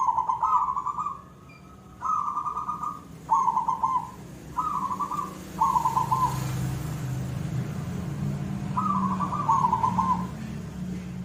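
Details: Zebra dove in full koong-style song: a run of six short beaded coo phrases in quick succession, then a pause and a final double phrase, with low rumbling noise beneath.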